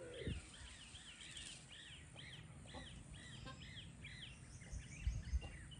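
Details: Upland goose, also called Magellan goose, kept at a breeding farm, giving a run of arched, whistled notes repeated several times a second over a steady low rumble.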